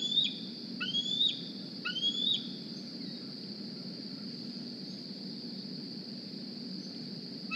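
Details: Juvenile Decorah bald eagle, hatched in 2020, squeeing at the nest one morning while looking for a meal; three high rising whistles with abrupt drops in the first two seconds, then only steady hum and faint rural noise.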